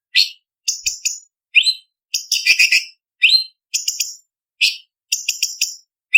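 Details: Blue-winged leafbird (cucak cungkok) song used as a master for contest birds, spicy 'tembakan' style with varied fill-ins: quick clusters of shrill high chips alternating with short upslurred whistles, about two phrases per second, clean with no background.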